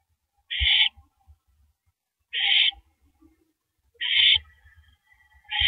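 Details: Owl tearing at a large rabbit before swallowing it, on a live camera at 3:33 AM, April 9, 2012: four rasping, noisy hisses roughly every one and a half to two seconds, with soft knocks and scuffling between them.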